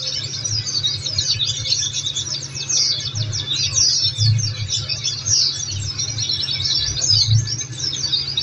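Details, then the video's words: Oriental white-eye song meant to prompt caged birds to respond: fast, high, sweeping twitters and chips in an unbroken stream, a low hum and soft thumps beneath. "Masteran||Terapi Kicau Pleci||Tiga menit langsung Nyahut"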